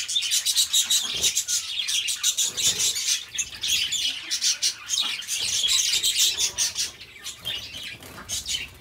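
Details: Companion budgerigars give a long, unbroken run of harsh squawky chirps and buzzy squeaks, pulsing several times a second, with a few louder squawks near the start.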